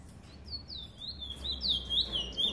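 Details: A chestnut-bellied seed finch ("Trini bullfinch"), 2018, sings a lively run of clear, sliding whistles, high and quickening, over a faint low hum.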